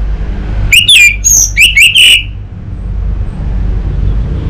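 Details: From Singaraja, North Bali, orange-headed thrush master song for an untrained bird: one rapid phrase of squeaky, sliding high whistles lasting about a second and a half, followed by low background rumble.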